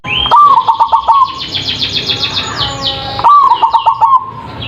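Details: Perkutut, or zebra dove, singing a big-voiced lure song to make other birds answer: two loud phrases of rapid rolling coos three seconds apart, with faint higher chirping from other birds between them.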